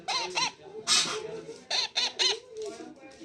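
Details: A baby parrot gives harsh, scratchy "chi chi" chirps in quick bursts, several in about three seconds, with brief softer chatter between; parrot.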